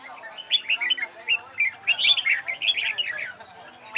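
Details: Red-whiskered bulbul singing competition-style song during training. It gives a run of bright, warbled whistled phrases with quick rising and falling notes in short bursts, and a low steady hum underneath.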